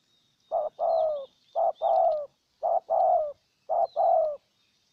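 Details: Spotted dove decoy bird in Ninh Thuận, Vietnam, cooing to lure a wild dove: four paired phrases, each a short low note followed by a longer, slightly falling coo, spaced about a second apart; faint high chirps from other birds.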